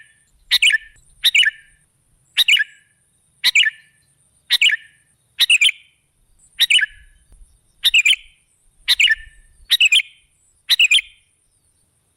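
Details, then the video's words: Sooty-headed bulbul lure recording gives crisp double chirps, each pair ending in a brief burry tail. They repeat roughly once a second in a steady series against a quiet background. "Suara burung KUTILANG jebakan pemikat"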